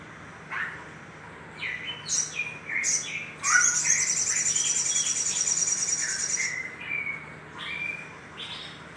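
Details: Little spiderhunter lure sound for stimulating other birds: a few sharp rising chirps, then a long, high, rapid trill lasting about three seconds, followed by more scattered squeaky notes.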